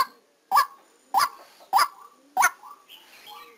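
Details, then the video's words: White-breasted waterhen decoy during trapping gives four loud, rasping, honk-like notes about 0.6 seconds apart, followed by softer, varied chattering notes and a faint whistle as the series fades. "Tiếng Quốc Mồi Ghi âm trực tiếp lúc đánh"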